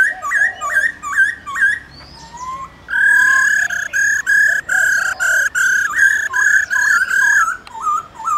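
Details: Laughingthrush with a female, forest-style calling to wild birds: short hooked whistled notes in quick succession, then a long steady train of loud buzzy notes, ending with looping whistles again.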